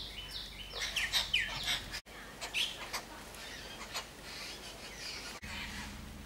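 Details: Birds back to chirping after hours of rain: a quick burst of thin, high chirps and short tweets in the first two seconds, a lone chirp shortly after, then quieter scattered calls against a low background hum.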